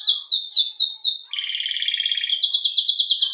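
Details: Belgian canary (domestic canary, Serinus canaria) sings a rapid, bright series: five quick descending whistled notes, then a fast buzzy trill, then more rapid rising chips.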